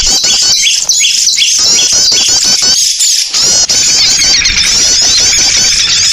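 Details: Lure recording of small birds meant to make birds gather: rapid rising chirps at first, then a thick wash of high overlapping twittering.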